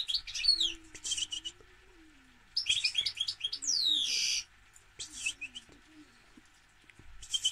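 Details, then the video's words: Goldfinch song of rapid, liquid twitters and tinkling notes mixed with quick downslurred whistles, delivered in dense phrases with brief gaps, over a soft low hum and faint lower tones. "Goldfinch - Jilguero"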